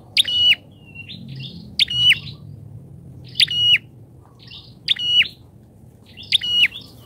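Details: Prinia lure recording for training captive birds: five loud rasping bursts with level high whistled tails, separated by gaps of over a second, plus softer fluttering notes between them.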